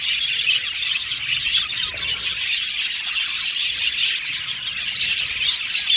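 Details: Colony of Australian budgies in an aviary, a dense high-pitched chatter of chirps and warbles running without a break, a few brighter notes standing out.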